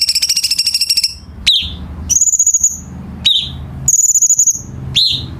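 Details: Bulbul, locally called cucak cungkok, singing as a tutor for training captive birds: a rapid, even run of high repeated notes, then three whistled notes that swoop down sharply, each followed by a short, bright buzzy trill.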